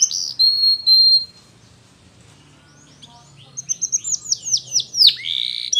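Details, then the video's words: Belgian canary singing: a few high sustained whistles, a pause, then a fast build of rising and falling high chirps and warbles. "Spectacular Belgian Canary"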